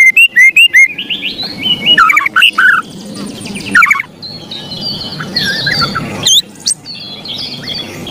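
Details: Agitated ketrekan from a white-rumped shama: an opening run of loud rapid rasps, then warbled whistles and fainter scratchy chatter, with low background hum.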